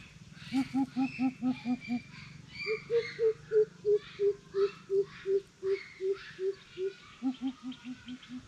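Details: Greater coucal calling in a challenge: quick paired hollow hoots, a short pause, then a long steady run of single deep hoots, ending with paired notes again.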